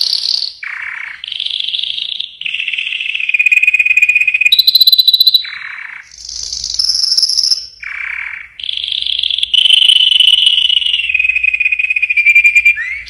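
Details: Yellow canary in full song: loud, continuous rolling trills and buzzy rattles, switching between high and lower tours every second or two, with brief sweeping whistles between.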